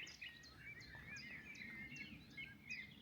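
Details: In early May in Sussex, England, a nightingale sings fairly softly in woodland scrub: rapid, repeated high whistled notes with sharp upward flicks, about three per second, over a low outdoor rumble.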